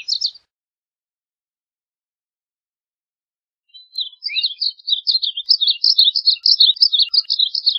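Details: Varied bunting singing: a short burst of chirps, then after about three seconds of silence a rapid, sustained warbling run of sweet, slurred notes around the upper-middle range, quick and jumbled, with no other sounds.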